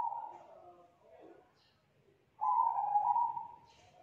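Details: Loud, thick-voiced young spotted dove from the forest, 'kuk 2' type: soft trailing coo notes, a pause, then a strong, sustained low coo that fades slowly.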